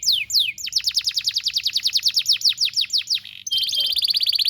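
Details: Canary singing a tutor song used to train young canaries: a rapid train of descending whistled sweeps, about three per second, ending in a fast buzzy trill.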